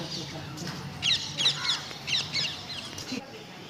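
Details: Several short, sharp chirps and squawks from a parrot, spaced roughly a third of a second apart, over a low background hum.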